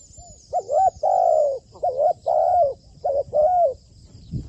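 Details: Trained decoy spotted dove in captivity calling close by: three clear coo phrases, each a brief wavering note then a long, slightly falling coo, repeated steadily, with a faint thump at the end.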